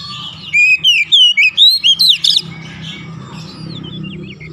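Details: Oriental magpie-robin (kacer) in continuous 'gacor' chattering song, used to prompt lazy birds to sing: a run of about eight loud, sweet whistled and slurred notes, rising and falling, after soft quiet, with low background hum.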